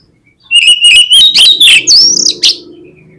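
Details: Oriental magpie-robin singing, played as a lure to get other magpie-robins to sing: a steady whistled note breaking into loud, rapid buzzy phrases and high slurred whistles for two seconds, with a faint hum behind.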